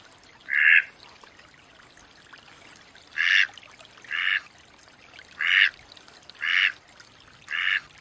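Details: A wild Mallard quacks once, pauses over two seconds, then gives five more loud, nasal quacks at roughly one-second intervals; little else is heard.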